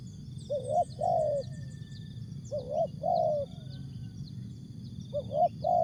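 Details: Spotted dove, Asia, giving its jergot, tapau and bungkus song: three low cooing phrases, each a short rising note followed by a longer level coo, spaced about two seconds apart, over faint high buzzing and low rumble.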